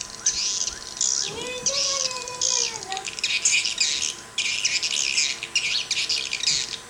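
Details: Swiftlet calls tested in Sabah: dense clusters of high, rasping twitters in bursts, with a lower, drawn-out whistled note that rises and then falls early on against a steady hum.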